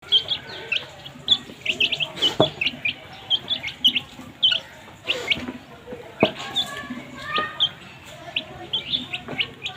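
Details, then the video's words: Baby chicks chirping while feeding: a dense stream of short, high, bright peeps from several birds overlapping throughout, with soft pecking and tapping sounds and a few sharper knocks. "Cute baby chicks chirping sounds"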